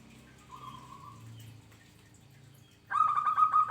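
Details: A local zebra dove sings actively. After near-quiet, a loud, mid-pitched rolling coo of rapid pulsed notes begins abruptly near the end.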